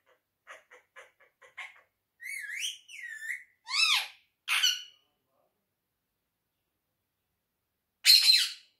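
A monk parakeet gives a string of soft clicks, then warbled, rising-and-falling whistled phrases and buzzy speech-like bursts, ending after a pause with one harsh squawk.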